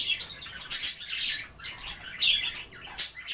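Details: Budgerigars nibbling kale during bath time, chattering loudly and close: dense scratchy warbling with bright, sharp chirps and a brief clear whistled note midway.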